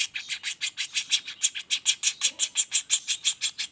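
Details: Juvenile common flameback giving a non-stop roll for tutoring songbirds: loud, harsh chips, about three per second, steady and unbroken.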